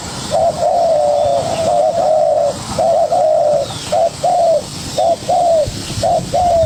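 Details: Spotted dove, a young bird, fighting vocally against a decoy: long wavering coos run together at first, then break into shorter paired coos repeated about once a second.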